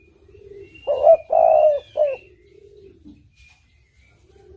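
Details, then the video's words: A single low cooing phrase from a spotted dove (tekukur), used as a lure: short coo, long sustained coo and clipped final note, over a softer background cooing and faint high whistles. "Suara Burung Tekukur Merdu Jenih | The sound of the turtledove is melodious and rich"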